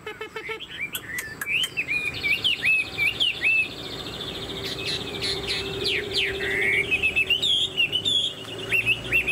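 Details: Chinese hwamei cage bird with a fanned tail and tall posture, pouring out a continuous varied song of quick whistled upslurs, trills and sharp notes, with a few clicks at the start.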